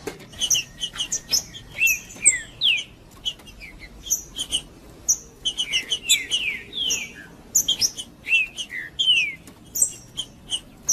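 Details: Green-winged saltator male, trinca-ferro in macheando mode, singing to fire up other birds: loud clusters of falling and rising whistled slurs with sharp high chirps, phrases repeating every two to three seconds above low-frequency background noise.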